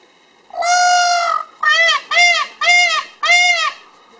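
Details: A peacock displaying with its tail feathers fanned gives one long, loud, nasal wail, then four shorter arched cries in quick succession, each about half a second apart.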